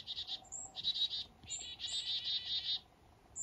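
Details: Black-capped chickadees waking on a foggy morning up north: choppy groups of buzzy notes in uneven bursts, mixed with short high-pitched thin notes, ending in near silence.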